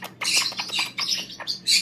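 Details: Pet Hahn's macaw giving good night kisses when asked if she is ready to go night night, at home during the holiday season: a quick series of soft, high smacking kiss-like clicks and chirps.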